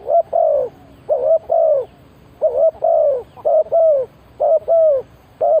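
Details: Spotted dove serving as a decoy to draw in wild birds, cooing steadily: a rapid run of soft, low paired coos, each short note followed by a longer falling one, repeated about once a second.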